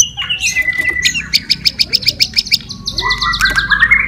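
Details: White-rumped shama fighting song used to provoke other birds, a loud varied run of fast repeated chirping notes, then sliding whistles and squawk-like phrases near the end.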